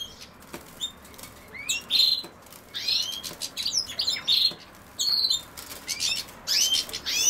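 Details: Goldfinch twitter near common sow-thistle, made of liquid, high chirps and short trilled notes in irregular bursts about every second, each phrase bright and metallic, over faint steady background noise.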